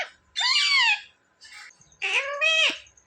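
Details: Pet parrot that repeats "mummy" and "papa": two drawn-out, wailing, speech-like phrases, with a softer mutter between them, indoors.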